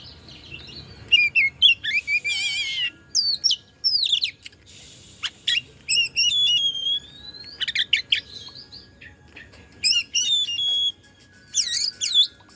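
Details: White-rumped shama from Indonesia singing to provoke other shamas: loud, varied phrases of whistled notes, sharp upslurs and buzzy trills, delivered in bursts separated by brief pauses, with a faint steady hum underneath.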